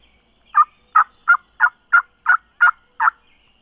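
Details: A Merriam's wild turkey on South Dakota public land gobbles at daybreak from below a hill: eight rapid, rattling, loud, throaty gobble notes, about one every third of a second.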